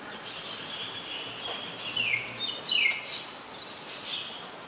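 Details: Common myna, Ubon Ratchathani province, Thailand, 8 May 2022, captured with a Nikon P1000: a run of high, sliding whistles that drop in pitch, followed by sharp chirps and brief chatter over a constant high background hum.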